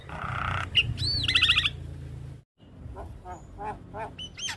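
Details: Full-fill tutor song of black-winged starling for young birds: a raspy buzz, a looping whistle and a fast rattling series, then after a brief silence softer nasal notes ending in rising whistles.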